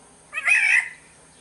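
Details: {'caption': 'Black-naped oriole from Sumbawa with a short, harsh, nasal squall, cat-like and grating, rising sharply then dropping away after about half a second.'}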